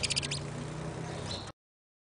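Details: Saffron finch in a mating context gives a quick burst of high, thin chirps, then one fainter chirp a second later, over a steady low hum.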